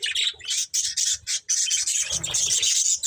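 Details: Budgerigar breeding pair giving quick, pulsed high chirps and squawky chatter in rapid succession, with faint low thumping underneath.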